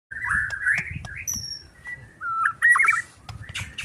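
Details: Agitated white-rumped shama singing: whistled phrases around mid-high pitch with slurred notes and a rising trill near the end, broken by short pauses; low rumbling background noise throughout.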